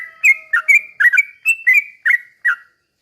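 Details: Sooty-headed bulbul 'ropel pelan' song, used to make other birds sing: quick run of warbled whistled notes rising and dipping, ending abruptly, with a faint steady hum underneath.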